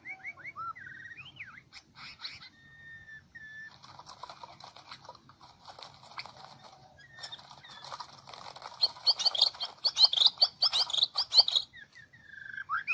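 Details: White-rumped shama of the Medan type, used as a lure for trapping: opens with clear, looping whistled phrases, then buzzy rasping notes and a fast, loud chattering trill of high squeaky notes, ending with more whistles.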